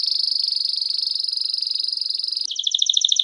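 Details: A Belgian canary sings a fast, even trill of high notes, then shifts to a slower, rolling trill a little lower in pitch.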